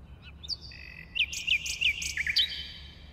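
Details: Short nightingale song phrase: a sharp upward flick, then sustained whistled tones under a string of dropping, chipped notes repeated roughly three times a second, finished with a bright twisting flourish.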